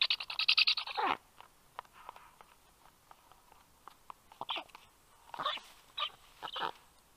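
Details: Black stork fledgling returning to the nest in Estonia on an afternoon in 2022, twittering while another stork holds its beak: a burst of rapid harsh chattering notes, then scattered short rasping squeaks and clicks.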